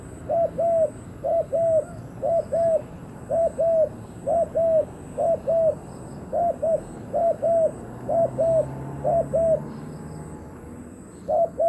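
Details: Decoy spotted dove luring wild doves, with steady paired hollow coos, each pair a short note then a slightly longer falling one, repeated about once a second in a long even series; faint high hum behind.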